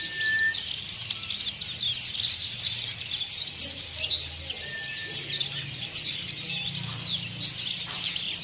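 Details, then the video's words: Kept Oriental white-eye in Indonesia giving harsh, fast ngeriwik twittering: an unbroken stream of high, scratchy chirps and squeaks, with a couple of short mid-pitched whistled notes and a soft low background hum. "PLECI MONTY NGERIWIK KASAR"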